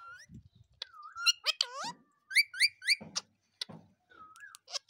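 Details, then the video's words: Talking pet Indian ringneck parakeet indoors: clear whistled glides mixed with harsh, bending squawks and a short run of three quick chirps, with soft clicks and rustles between. "Talking indian ringneck parrot"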